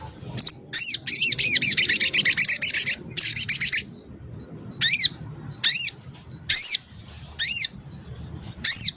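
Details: Crimson sunbird, called sogon ontong, valued by bird keepers as a singing tutor for its tight, sharp, varied song: high thin rapid trills, then separate arched chirps repeated about once a second, with faint low background hum.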